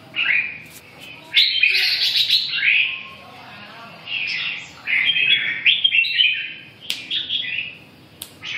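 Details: Red-whiskered bulbul singing: bright warbled phrases of quick rising and falling notes in bursts, with short pauses between, and faint clicks and background noise.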